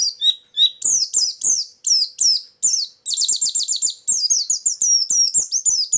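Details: White-eye lure song used for trapping birds: rapid high chirping phrases, thin descending whistled notes and buzzy trills repeated in quick bursts, loud and continuous, with no other sounds.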